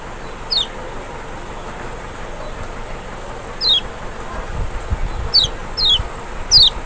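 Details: Lemon-bellied white-eye, Lombok or Sumbawa form, recording meant to trigger a reluctant bird's reply: scattered high downslurred whistles, sparse at first then clustering toward the end, with low rumbling noise underneath.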